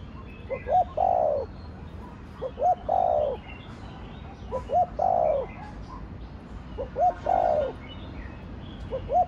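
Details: Spotted dove in thổ đồng voice. Four phrases, each a brief rising pair of notes followed by a long mellow coo that sinks in pitch, about two and a half seconds apart, over light chirping from other birds.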